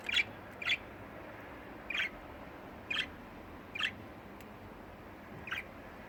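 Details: Pet budgerigars at home during an ordinary family day: short, bright chirps, seven in about six seconds at uneven intervals, over a low, steady indoor background hum.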